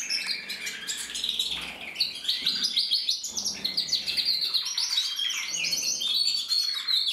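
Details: Male red mosaic isabel canary singing, 2024: a dense, continuous run of high trills and rapid chirped notes with scarcely a pause, rising and falling in bright rolling phrases throughout.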